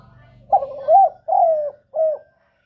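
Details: Spotted dove giving 'kuk 1' style song for luring other doves: a single phrase of a short lead-in coo, two longer mellow notes, and a shorter falling final coo. A faint low hum precedes it.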